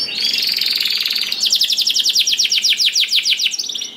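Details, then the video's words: Canary giving a rolling song to coax other canaries into song: a dense buzzy trill followed by a steady series of quick sweeping notes, about five per second. "Kenari Gacor Ngedur Ampuh Bikin Kenari Mana Saja Ikut Bunyi Gacor Ngerol || Voice of Canary"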